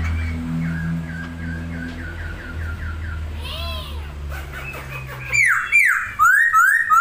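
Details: Masked laughingthrush singing persistently with wings spread: a run of quick descending whistled notes, a pause of soft arched sounds, then loud clear whistles repeated near the end.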